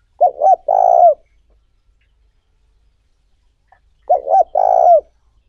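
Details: Lure call of a spotted dove meant to excite wild doves and train decoys: two phrases nearly four seconds apart, each with two quick soft hoots and then a drawn-out vibrating coo that falls at the end.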